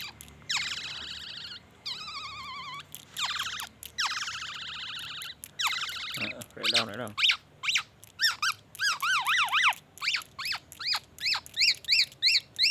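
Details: A vigorously singing black-naped oriole imitating the white-rumped shama. Buzzy, wavering phrases come in bursts of about a second, then a low rattle. A quickening sequence of sharp, arched whistles follows, ending in even, repeated chips.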